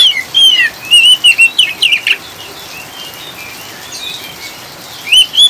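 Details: Oriental magpie-robin ngriwik song used with rain sounds to stabilise birds; rapid loud whistled phrases and a harsh rasp in the first two seconds, a quiet rainy gap, then two more bright whistles at the end.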